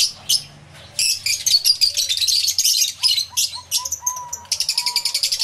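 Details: A mixed aviary flock of lovebirds, including Yellow-collared (masked) and Fischer's lovebirds, chatter with shrill rapid chirps and squeaky bursts overlapping almost constantly, with a few softer whistled notes underneath.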